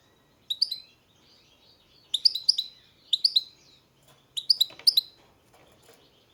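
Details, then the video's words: European goldfinch giving short clusters of sharp, tinkling chirps, about five bursts of two to four notes each, separated by brief pauses; otherwise quiet with faint low hum. "Pesma štiglića, češljugara"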